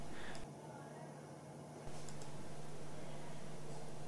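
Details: Low steady hum and broadband noise with a quieter stretch midway; no animal voice is heard.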